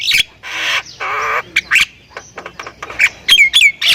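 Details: Thailand-type Javan myna in energetic song: two long, harsh, buzzy rasps, then scattered clicks and short squawks, ending in a few high, sharply falling whistles.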